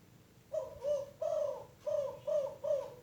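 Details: Young untrained spotted dove at Rajeg Hill, Tangerang, giving its 'kuk 5' coo song, still weak in power: soft, mellow two-part coos repeated about every half second, five or six notes, no other sounds.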